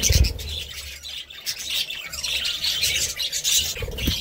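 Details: Budgerigar chatter of quick, high chirps and warbling trills, with a short quieter gap early on and a low thump at the start.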